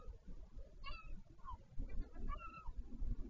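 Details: A northern royal albatross at the Taiaroa Head colony near Dunedin, New Zealand, calls during a parent changeover at the nest on 14 February 2019. It gives a few brief, nasal, harmonic calls, some rising or bending, against heavy wind rumble.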